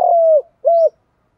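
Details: ["Spotted dove used to lure birds for trapping, cooing in the 'thổ' style: one long, level hollow coo dropping at its end, then a shorter matching coo."]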